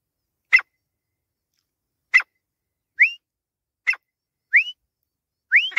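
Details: Grey francolin, Pakistan: three rising whistled notes spaced over several seconds, alternating with sharp isolated clicks in otherwise silent surroundings.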